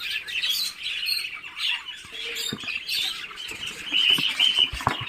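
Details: Dense, overlapping high chirps from Muscovy ducklings hatching in an incubator after 28 days, rising and falling in loudness, with a few short clicks and taps.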